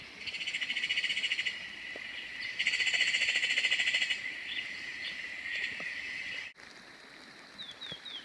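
Grey-headed Parrotbills give harsh, buzzy chattering bursts, each about a second long, over a steady high hum; a few thin downslurred notes follow at the end.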